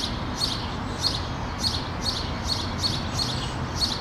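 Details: Common starling fledglings on a tree branch give harsh, high, rasping calls about twice a second, steady and insistent, as the parent approaches to feed them; constant low rumble behind; Helsinki, Finland, June 2013.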